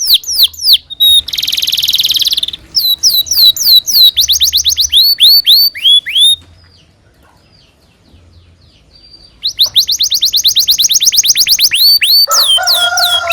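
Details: Lively canary long song, recorded for teaching young canaries: rapid descending whistles, a harsh buzzy roll, repeated rising notes, a silent pause of about three seconds, then a fast trill and lower tonal notes.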